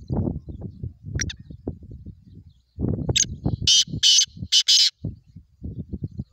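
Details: Black francolin giving a series of four loud, rasping, broadband notes in the middle of the recording, with a faint squeaky note earlier and low rumbling, voice-like background sounds throughout.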